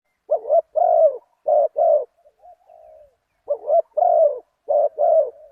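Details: Spotted dove recorded while luring wild birds with a decoy, following a target bird at spot 37, a deep-voiced one-kuk singer: paired husky coos in two bursts, the second after a soft trailing note and brief pause.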